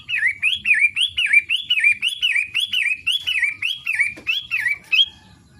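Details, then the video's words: Long-tailed shrike in daily song: a continuous chain of about eleven swooping whistled notes, each climbing then sliding down, paced near two per second, with a sharp click before the final phrases. "Kicau harian Pentet matahari?"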